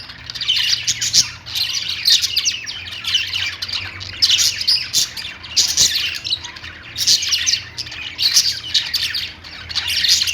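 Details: Pet budgerigars chirping: dense overlapping chattering squawks and warbles from several birds, in surges roughly every one to two seconds.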